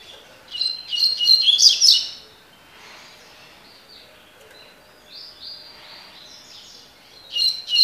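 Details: Double-collared seedeater delivering tui tui (tocó) song: a dense burst of quick, buzzy chattering notes, softer slurred whistles in between, and a fresh energetic burst at the end.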